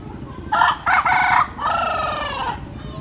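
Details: Loud crow from a rooster: two clipped, harsh opening syllables, then a sustained, slightly wavering final note lasting about a second, over a low steady background hum.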